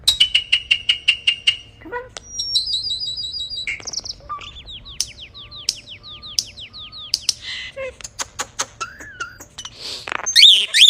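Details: Bird producing robotic sounds: a varied sequence of rapid clicks, buzzy trills, repeated arched whistled notes and sharp electronic-sounding bursts, changing pattern every second or two.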